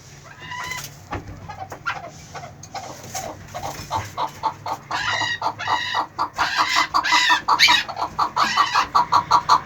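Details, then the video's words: Eleven-month-old chukar partridge calling: a series of clucking notes that starts sparse and builds into a fast, steady chuck-chuck run near the end, with layered harmonics. "11 months crack Chakor"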